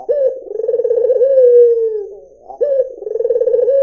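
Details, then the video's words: White dove with a clear voice: one full low, vibrating coo that slides gently downward, followed by the rising, trilling start of the next phrase. "SUARA PUTER PUTIH || JERNIH 3 DETIK LANGSUNG NYAUT || SUARA BURUNG PUTER MERDU"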